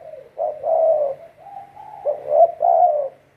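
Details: Cooing of a captive spotted dove kept as a decoy to lure others for trapping; warm, breathy notes run together in one phrase with a long level middle note.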